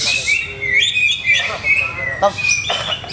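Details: A caged greater green leafbird, setup still under trial, sings a varied run of clear whistles, sliding notes and scratchy bursts, phrases changing quickly with brief pauses between.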